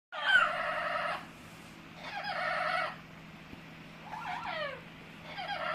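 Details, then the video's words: Pet Amazon parrot making funny noises indoors: loud, harsh, rasping squawks about a second long, repeated three times with short pauses, under a steady low hum. "My Amazon parrot Hecko is making funny noises"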